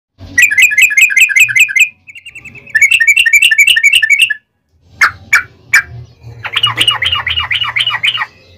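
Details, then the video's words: Yellow-vented bulbul, locally trucukan, in a fighting song with long rapid ropel trilling, used as a lure to make other bulbuls answer: fast chattering note bursts, a short gap, sharp clicks, then a buzzy descending series. "KICAU SUARA trucukan gacor TARUNG ROPEL PANJANG"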